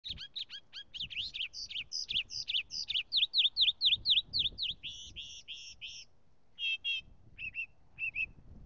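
Northern mockingbird singing a fast, varied run of sharp, repeated chirps and slurred notes, each phrase repeated several times before switching, with brief pauses near the end.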